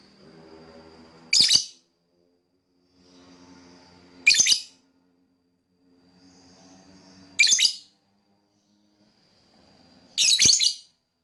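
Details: Lovebird chirping for whistle training: a single loud, harsh high chirp every three seconds, each preceded by a faint thin tone and soft low murmur.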